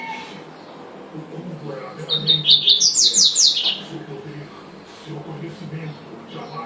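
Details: A double-collared seedeater delivers tuitui manda chuva song: one burst of quick high notes climbing into a rapid trill lasting about two seconds, with quiet murmuring background before and after.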